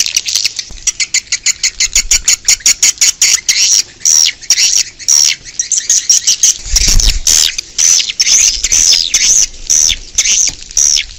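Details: Outdoor swiftlet lure call: a long train of rapid, high, sharp chirps roughly two per second, with a brief low thud in the middle, continuing as buzzy twittering bursts.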